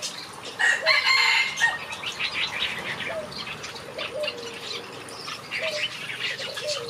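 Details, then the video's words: A flock of aviary finches in a backyard keeps up rapid high chirping, with a loud bright outburst early on, then steady twittering and soft falling low notes every second or so. "Watch these finches sing a beautiful melody in my backyard"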